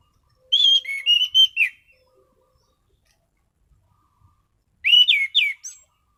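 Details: Orange-headed thrush (anis cendana) singing steadily in full 'gacor' form, a bird prepared for daily and competition use: a clear whistled phrase of rising and falling notes, then after a four-second pause a second, shorter burst of sharp whistles.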